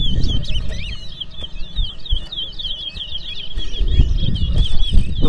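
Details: Chestnut-bellied seed finch (towa towa) singing in a bird whistling competition at Port Mourant, Guyana, 2024: a rapid run of bright whistled notes and warbles, continuous throughout, over crowd chatter and low rumbling noise.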